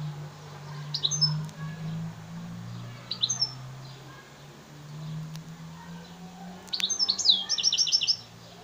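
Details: F1 hybrid of African singer and yellow-fronted canary (Mozambique serin), Souk Ahras. Short bursts of high twittering notes around one and three seconds, then a rapid trilled run of repeated notes near seven seconds, over a steady low hum.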